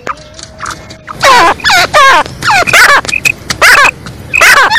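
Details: Female black francolin (kala teetar) giving an excited 'masti wali' call: a faint steady whistle at first, then loud, harsh, ringing notes with wavering overtones, in bursts of about half a second, five or six in quick succession.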